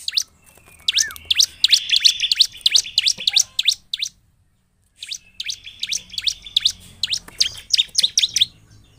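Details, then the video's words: Bar-winged prinia in vigorous 'gacor' singing, used as a lure to provoke silent prinias into song: rapid bursts of sharp, high chirps about three a second, a brief downward slurred note early on, then a pause before another fast chirping run. "Cukup 5 detik ciblek malas bunyi akan terpancing bunyi dengar suara ciblek gacor ini"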